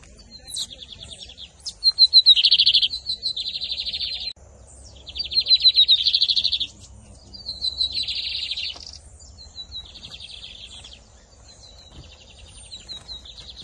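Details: Caged double-collared seedeater from Brazil, 2023 season, singing in the camelão versus torneiro style: high buzzy trilled phrases of rapid repeated notes, each burst about two seconds long with short pauses between.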